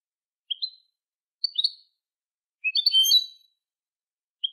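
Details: Song of a European goldfinch played for young goldfinches to learn from: separated high chirps followed by a dense liquid twittering phrase lasting nearly a second, then another chirp, quiet background.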